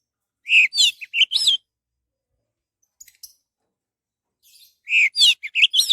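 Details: Orange-headed thrush singing, a recording used as a lure to draw song from other birds: two fast bursts of sweet, warbled whistles separated by a few seconds of near silence and faint ticks.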